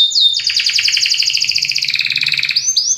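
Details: Singing Belgian canary delivering a strong, rapid rolling trill of dense repeated notes that slowly falls in pitch, followed by brief high whistles.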